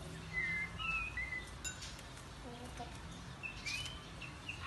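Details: Kept white-rumped shama singing varied wild-style phrases and continually changing its voice: clear whistled notes, some rising, some falling, with short pauses between them. A low background hum runs underneath.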